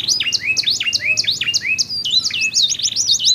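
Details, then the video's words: Domestic canary song from a pair answering each other with differing voices: looping swooping notes repeated in quick succession, switching to sharper zigzag figures near the end. "SUARA KICAUAN KENARI GACOR SALING BERSAUTAN"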